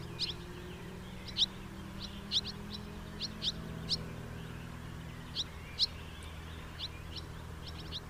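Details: House martin giving short, sharp, high chirping notes, some in quick pairs, about a dozen spread irregularly across the stretch, over a steady low rumbling background hum.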